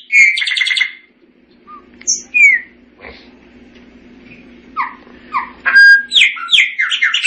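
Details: Chopi blackbird singing with variations: a buzzy rattling phrase, scattered slurred whistles with gaps, then a burst of rapid falling and rising notes; low hum throughout.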